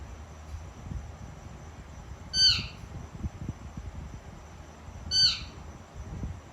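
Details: During dinner a pet female Indian ringneck parakeet gives a pair of brief, bright screeching calls roughly three seconds apart, each sharp and slightly upswept, with soft low clatter from feeding between them.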